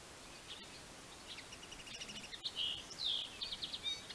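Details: Common linnet song: a twittering run of short, high chirps that grows louder after two seconds into busier warbled phrases with a brief trill, over a steady light background hiss.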